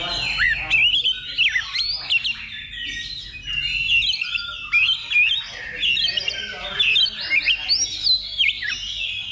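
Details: Contest-practice recording of an Oriental magpie-robin: a long, continuous stream of varied whistled and scratchy phrases with steep pitch slides, dense with overlapping birdsong.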